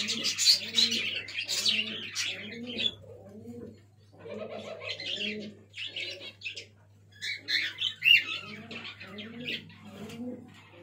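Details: Young black fantail pigeons give soft, throaty cooing bursts in quick uneven runs, mixed with thin, high squeaky notes and a steady low hum.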